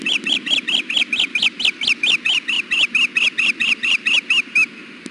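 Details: Wild female osprey fussing on the Hellgate nest for food, June 2016 afternoon at 93 degrees: a long, unbroken series of roughly twenty shrill, slurred chirps, delivered at more than two per second.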